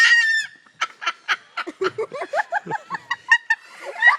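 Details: Umbrella cockatoo kept at Parrot Mountain in Pigeon Forge, Tennessee, imitating people's laughter: a long run of short, evenly spaced cackling syllables, roughly a dozen, following a louder opening squawk.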